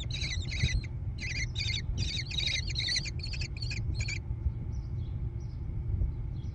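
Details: American kestrel chicks in a gravel-bottomed nest box on a barn near Prairie du Chien, Wisconsin, USA, June 2022. About a dozen harsh, raspy chattering calls come in quick clusters, then fade to faint calls over a steady low hum.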